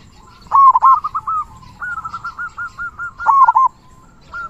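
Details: Zebra dove, a local bird in vigorous song with a large 'kung' voice, used as a tutor. A rolling coo, a run of even repeated notes, then another rolling coo.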